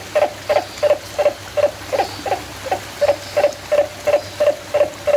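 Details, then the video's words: Turaco at San Diego Zoo Safari Park, 11/10/2020, gives a steady run of short, hoarse, mid-pitched notes, about three each second, evenly spaced against a quiet background. "Call of the Turaco"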